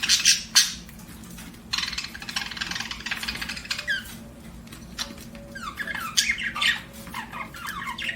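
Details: Budgerigar chirping as a pet bird: scattered bursts of scratchy chatter and squawks, with quieter gaps, a few sharp rising chirps near the end, and a constant low hum in the room.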